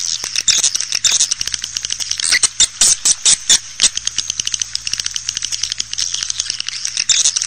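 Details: Swiftlet call meant to bring birds into a bird house: crowded high-pitched chattering and clicking, bursts of louder chirps midway, continuous throughout, with a low hum.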